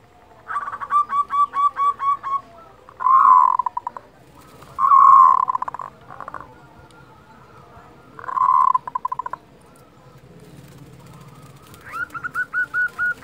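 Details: Local zebra dove giving a kerot call, used as a master recording to raise breeding desire and emotion in other doves: rapid pulsed, purring rattles in several bursts of differing length, separated by short pauses, with a quiet background.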